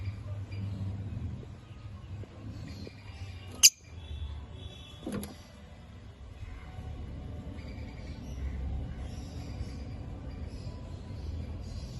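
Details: A low indoor rumble with a sharp metallic clink and a softer knock a moment later, and no clear animal voice.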